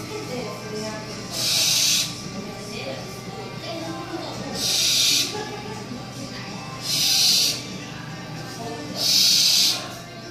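An owl gives four harsh, breathy hisses, each under a second long, spaced about two to three seconds apart over a faint low hum.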